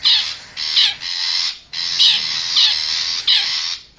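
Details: Wild long-tailed shrike from forest, used as a lure call to draw wild birds close: loud, harsh, buzzy rasping notes in blocks of about half a second, some with short breaks.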